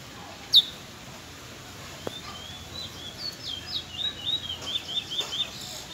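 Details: A young chestnut-bellied seed-finch (Trinidad bullfinch) sings in the afternoon, a quick, thin run of high twittering notes in the second half, with a sharp click near the start.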